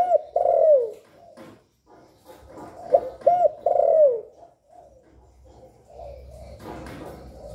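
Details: Spotted dove calling and cooing to encourage other doves to sing: two loud phrases, each of hooked notes ending in a long falling coo, then soft murmuring coos with some rustling.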